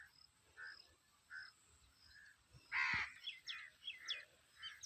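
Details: Village birds in summer give short, soft calls at first. Then comes a sudden loud, hoarse caw, followed by a quick run of sharper chirps over a constant high insect buzz.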